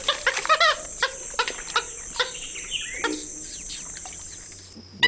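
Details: Purple Gallinule, a marsh bird, giving sharp, hen-like clucks and hiccuping notes in an uneven series, likened to a chimpanzee or monkey, then a few squawks, over a steady high insect whine.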